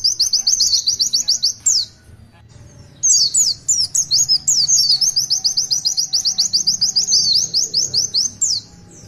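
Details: Oriental white-eye in full tulitwitwit song, bursts of fast high-pitched chirping notes, a brief gap near two seconds, then a long continuous series of sharp twittering notes.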